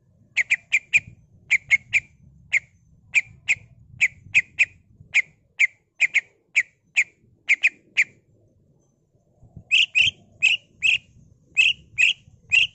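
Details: Greater green leafbird, ngentrok song full of mimicked fills: long rapid series of crisp, evenly repeated chirps, a brief pause, then a louder, harsher run of paired notes over faint low rumble.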